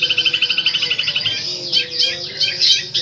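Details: Long-tailed shrike delivering powerful 'tembakan' song: a rapid, even rattle of high notes for over a second, then a louder, scratchy, varied warble.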